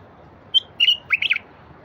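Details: Wild bulbul song played to prompt silent wild bulbuls to sing: a single high clear note followed by two quick warbled phrases of slurred, descending whistles over faint background hiss.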